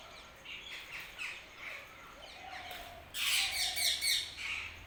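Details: Early-morning bird chirping: scattered mid-high chirps and short trills, then a louder burst of dense, high, squawky twittering from nearby birds.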